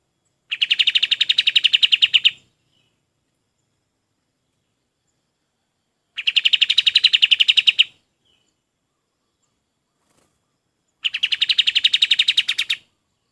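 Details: A golden-bellied gerygone, recorded as tutor song for training other birds, delivers three rapid trills of clipped high notes. Each lasts about two seconds, with roughly four seconds of silence between them.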